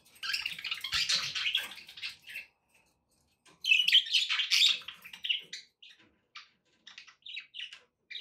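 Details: Pet budgies chatter to encourage a parrot to eat and sing; dense scratchy warbling runs for two seconds, pauses, returns loudly, then breaks into sparse short chirps.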